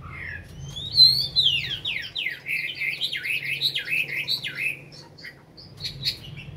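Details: Chinese hwamei singing after a full meal, a caged bird of over five years in Hanoi, Vietnam: a high whistle leads into a fast run of about a dozen steeply slurred notes, then scattered chips.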